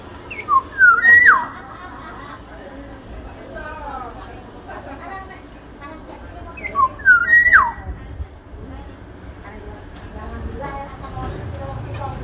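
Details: A large-bodied Sumbawa Black-naped Oriole gives two short, fluty whistled phrases with sliding notes, about six seconds apart, over a steady murmur of background noise and voices.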